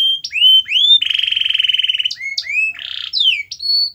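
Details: Canary song to prompt a silent canary: clear rising whistles, a steady rapid buzzy trill of about a second, then further sweeping whistles and a harsh buzzy burst.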